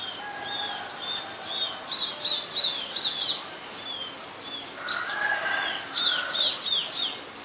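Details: Scaly-breasted munia, a very common resident, recorded in Ubon Ratchathani, Thailand, on 26 March 2022: thin high chirps in quick series, some broken into short bursts, with a lower whistled note near five seconds and rural background hiss.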